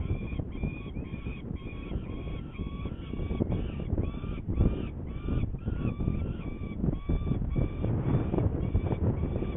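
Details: Hungarian saker falcon, 21 May 2019 at 11:30, about to take prey: a long run of loud, nasal, harmonic calls repeated roughly three times a second, set against constant low wind noise.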